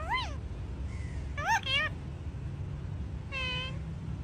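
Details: Talking green parrot said to speak Urdu, uttering short arched, nasal, meow-like calls: one at the start, a quick pair midway, and a longer one near the end, over steady low background hum.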